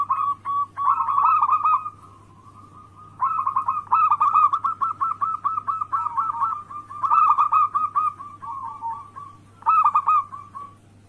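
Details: Zebra dove song as a lure to make rival doves respond: repeated phrases of fast, rolling pulsed coos, each lasting a second or two, separated by short pauses, over a faint steady hum.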